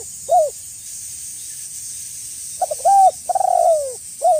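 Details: Lively spotted dove used as a lure, calling to provoke rival doves: one soft hooded coo, a long silence, then a burst of clipped coos ending in a stretched, downward-sliding note and another short coo, with constant high-pitched hiss behind.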